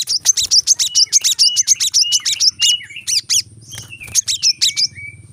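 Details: Rapid 'tembakan rapat' song of a brown-throated sunbird, played to train kept birds: clustered high, sharp chirps in quick bursts, with lower slurred whistles dropping between them over a faint background hum.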